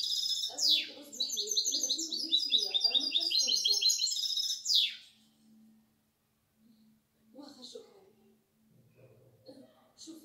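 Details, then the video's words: Goldfinch × canary hybrid, six months old, delivers about five seconds of quick high chirps and rolling trills that end in a sweeping note. Near-silence follows, with faint low sounds and brief soft chirps later. "غناء طائر ميستو سته اشهر(6)Me mixto de jilguero"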